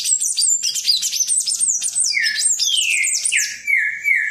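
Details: Palm tanager in full song: a continuous rapid stream of high squeaky chirps and slurred twitters, later with lower sliding whistles repeated near the end.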